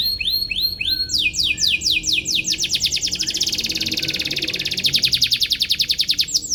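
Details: Atlantic canary singing energetically, chirping in search of a rival, used to train young canaries; opens with a few rising notes, then long rapid trills of downslurred syllables, becoming faster and buzzier toward the end.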